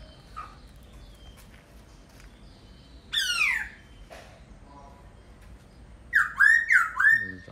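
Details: Laughingthrush heard after a quiet stretch with faint chips: one loud descending sweep, then a quick run of four slurred whistled notes near the end.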